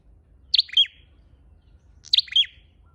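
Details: High, sharp chirps of a red-headed flowerpecker played as a lure, two calls each made of a quick double tick and a downslurred buzzy note, about one and a half seconds apart.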